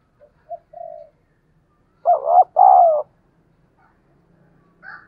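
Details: Decoy spotted dove calling at dawn, for teaching pet birds to coo along. A few soft, distant-sounding coos lead into a strong husky pair, short then long. A faint higher chirp follows near the end.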